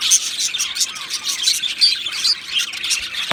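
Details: Bright, high, nonstop chirping from two male Australian budgerigars, a dense twittering warble with occasional piercing whistled squeaks.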